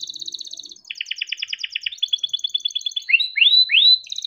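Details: Canary in long rolling song for prompting other canaries: fast doubled chirp trills, a lower rapid rattle, then loud rising whistled swoops repeated about every half second, closing with another quick trill.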